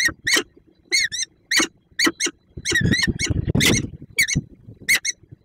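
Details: Peregrine falcon at its nest in Słupsk, Poland, on 5 April 2022, after leaving a prey gift and then meeting its mate: about ten harsh, nasal, wavering calls in short bursts roughly every half second, with scraping and rustling between them.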